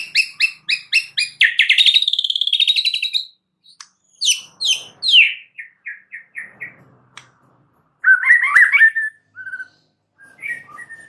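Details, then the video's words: White-rumped shama (murai batu) in extra-chatty song full of mixed-in material: a fast series of buzzy repeated notes becoming a continuous trill, then descending slurs, short whistles and a burst of warbling. "Audio Gacor MURAI BATU Extra Rewel"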